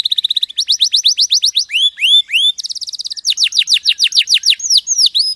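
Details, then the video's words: Canary song recorded as master material for training birds: quick high trill, then falling and rising whistled slurs, a buzzy rapid roll and repeated sweeping notes in varied phrases. "MASTERAN KENARI JUARA !!! MASTERAN KENARI SUARA JERNIH HD"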